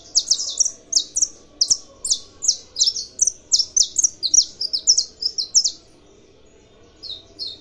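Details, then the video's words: Brazilian saffron finch, a kept bird, sings a fast run of bright, high chirped notes, about three per second, then pauses briefly before two more notes close the phrase. "canário da terra cantando"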